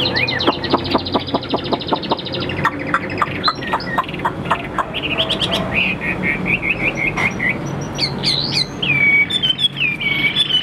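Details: Caged Chinese hwamei for sale: a long series of rhythmic dry clicking pulses at first, then sparse harsh notes and, near the end, several clear looping whistles.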